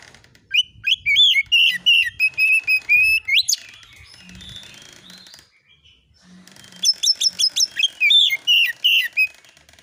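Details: Oriental magpie-robin lure recording aimed at provoking replies: fast chattering phrases mixed with loud repeated whistles and an upward slur, a pause with faint low hum, then another dense burst of sharp whistled and trilled notes.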